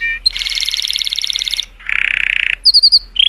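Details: Joyful colour canary song aimed at stimulating females, with a rich buzzy warble, a harsh rattling roll, then quick high rising slurs.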